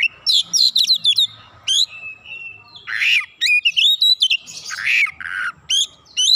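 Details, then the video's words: Oriental magpie-robin, likely caged, singing in response with a varied burst of loud whistles, sharp rising notes and harsh buzzy phrases, delivered in quick clusters with brief pauses. "Kacer langsung nyaut ngotot bongkar isian"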